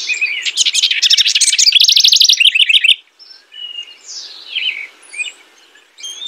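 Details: House wren pouring out a loud, rapid bubbling trill for about three seconds, followed by quieter, well-spaced sliding whistles and chirps.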